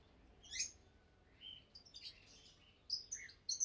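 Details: Fischer's lovebirds, two caged adults about two years old, give thin high chirps and brief twittering phrases during the day, fairly quiet over a steady low background hiss.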